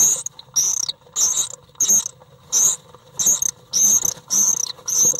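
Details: Occupied common swift nest box during a fight with an intruding bird, 1 July 2012: short, harsh, high screams repeated rapidly and unevenly, roughly one and a half per second, heard at close range.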